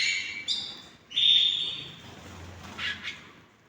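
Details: Several hand-tamed pet canaries: a short high whistled phrase, then a sustained clear tone lasting about a second, followed by soft fading chirps.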